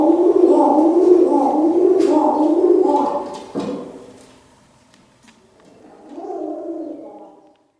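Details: An Arabian trumpeter pigeon, a barking pigeon breed of Columba livia, gives low, wavering, throaty barks that run together in a rolling stream.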